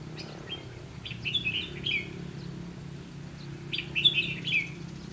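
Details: Red-whiskered bulbul during trapping with a decoy bird; two clusters of quick, clear warbled notes, each about a second long, separated by a short pause, over a low steady hum.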